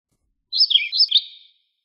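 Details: Philadelphia vireo song phrase: a single quick burbling run of high slurred whistled notes lasting about one second, clean and isolated.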